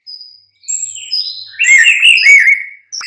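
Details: White-rumped shama, mid-morning lure song: soft high thin whistles build into a loud, rich rolling warble, then a brief final note after a pause.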